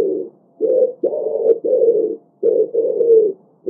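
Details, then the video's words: Rapid pigeon cooing: low, rounded, gurgling notes run together in six close phrases. "pigeon sound"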